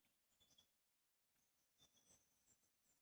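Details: Several Bell Miners in Sherbrooke Forest, Victoria, Australia, in March 2025 give faint, high, bell-like pings, short clear notes scattered irregularly through the forest, with footsteps and soft rustling nearby.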